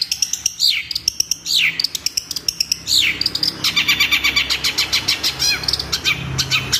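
A long-tailed shrike sings a busy, high medley: sharp downward-swept whistles and rapid rattling chatter, many notes per second, with no other sounds heard.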